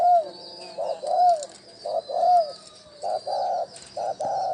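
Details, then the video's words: Decoy calling of a spotted dove, used to draw in wild doves: soft rounded coos, a few gliding downward, then paired flat hoots, with a faint high buzzing background. "Tiếng chim cu gáy gù gọi hay cực chất dùng kích bổi gù kich mồi"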